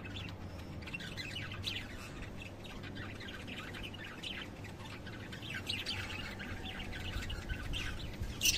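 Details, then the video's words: A steady, twittering chatter of lovebirds, many short high chirps overlapping throughout, ending in a louder sharp squeak, over a soft low hum. "Hering LOVEBIRDS SOUND"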